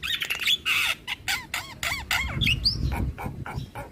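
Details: Javan myna lure song with imitations. Nasal squawks with arched, stacked harmonics repeat about twice a second, mixed with a few high whistled upslurs, over low background rumble.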